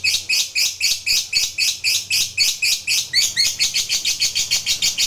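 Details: Lovebird fighter performing the prolonged 'ngekek panjang' chatter meant to provoke rivals: a steady run of shrill, rasping notes, about four each second, speeding slightly toward the end.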